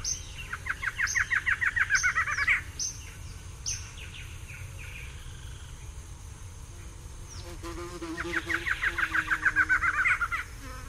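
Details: Barred antshrike pair duetting: two bursts of rapid, accelerating hollow notes, separated by sharp high whistled calls and chatter from other bird species in between.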